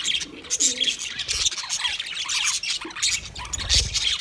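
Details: Budgies chirp in a dense high chorus of squeaky warbles and whistled notes, with soft low cooing-like sounds faintly underneath near the start.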